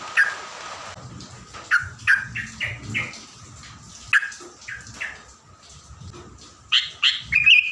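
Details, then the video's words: Morning songbird recording meant to stir up other birds: bright, quick chirps in irregular bursts, some paired, rising high near the end, over faint background hum. "cocok..di pagi hari bikin burung terucuan,emosi.."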